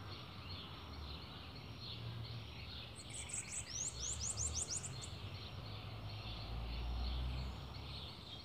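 A bananaquit gives a brief burst of very high, thin, rapidly repeated sweeping notes lasting about two seconds, over steady low rumbling background noise.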